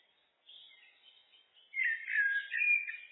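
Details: A common blackbird (Turdus merula) sings a brief phrase: soft high twittering first, then a loud, mellow, wavering fluted warble.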